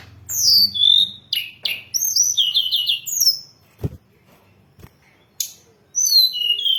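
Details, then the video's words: Hill blue flycatcher song used as a lure and training recording for songbirds: sharp high whistled notes, descending slurs and quick trilled phrases delivered in bursts, with a brief pause and a faint low hum beneath. "Masteran dan Pancingan burung Tledekan gunung"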